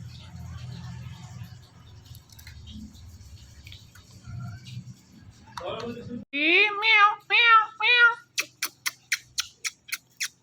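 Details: Male and female Indian ringneck parrot pair, pets perched on a door in the morning. Low room hum and faint music first, then loud harmonic wavering calls, followed by a fast series of sharp, clipped screeches.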